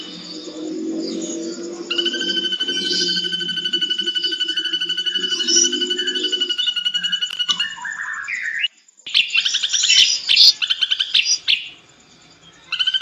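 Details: Ashy drongo in full song, used as a tutor recording for other cage birds: a rich, varied song of sustained high whistles and quick chattering phrases, with a steady high hiss and a faint low hum early on.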